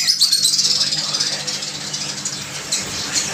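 A cockatiel gives rapid, scratchy high chirps, about three each second, with a faint low hum underneath.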